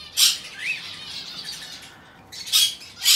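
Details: Hand-tame monk parakeet chick, aqua pallid colour variety, recorded 22 May 2022: sharp, harsh squawks in short bursts, one early and two close together near the end, with a faint rising chirp between them.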